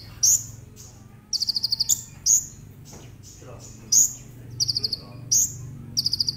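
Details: Konin (brown-throated sunbird) song used to lure other sunbirds into singing. Loud, piercing high notes alternate with quick bursts of rapid high ticks, repeated every second or so over a low background hum.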